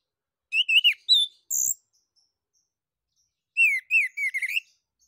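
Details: Orange-headed thrush, or anis kembang, song meant to prompt other birds; a few rising whistled notes and a high thin note, a silent gap, then a quick series of slurred, upward-sweeping whistles.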